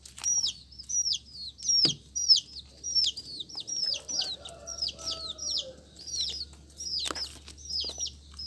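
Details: A busy stream of shrill falling peeps from colourful chicks, dense and overlapping, with a steady low hum and a couple of sharp knocks.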